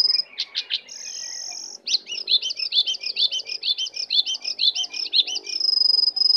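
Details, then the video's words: Wild Oriental magpie-robin coming in to attack, giving a long steady whistle, then a rapid series of looping, twisting notes repeated several times a second, ending on a sustained high whistle. "Jongkangan/cingcoang coklat Liar Datang Menyerang"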